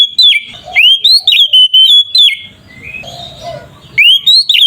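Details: Oriental magpie-robin singing the loud continuous style used to provoke other magpie-robins into calling: rapid strings of sharp whistled and slurred notes, falling and rising sweeps repeated several times a second, broken by a brief pause.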